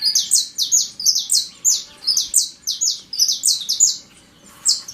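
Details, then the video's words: Saffron Finch singing strongly in the wild, a dense stream of bright, high chirps sliding downward, delivered rapidly in irregular groups for several seconds before a short gap and one final note. "CANTO FORTE DO CANARINHO DA TERRA LIVRE NA NATUREZA"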